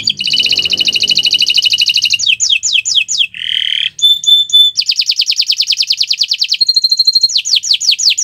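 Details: Canary singing gacoran on a Friday morning: a loud, dense, high trill, then mixed sweeps, a buzzy note, pure whistled tones and more trilling, ending in descending whistled slurs.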